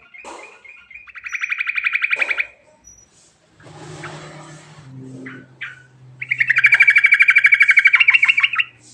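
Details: Sooty-headed bulbul, rolling song with mixed fill for luring: a rapid chirping trill, a noisy stretch with low hum, then a long, loud string of fast buzzy chirps about three per second.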